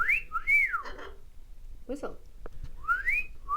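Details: A pet talking parrot, prompted with treats by its owner, gives clear sliding whistles, rising then falling, three or four in quick succession, with brief human speech between them.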